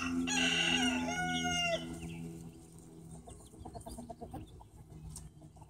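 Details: Leghorn chicken crowing: a loud, harmonic, two-part crow lasting about a second and a half, followed by softer scattered clucks over farmyard background noise.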